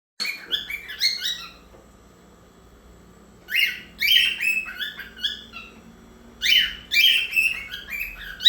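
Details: A cockatiel sings bursts of bright, warbled whistles and chirps, pausing between phrases, in a Saturday singing session.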